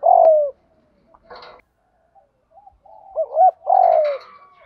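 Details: Decoy spotted dove calling to lure wild doves, 'đồng gù thúc' style. A loud, falling, drawn-out coo opens, followed by soft scattered notes, then hooked double coos and another long falling coo.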